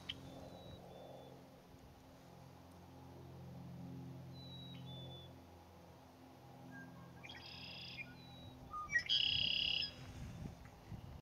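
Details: Male red-winged blackbird calling from cattails on 10 May 2017 gives a short clear opening note and then a harsh, buzzy trill lasting about a second, over a low steady hum.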